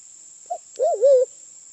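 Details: Lure call of a Sulawesi black pigeon (Turacoena manadensis), the forest dove of Sulawesi. A short low note is followed by a longer hollow hoot that dips, rises and wavers before settling. A thin high electronic tone persists behind it.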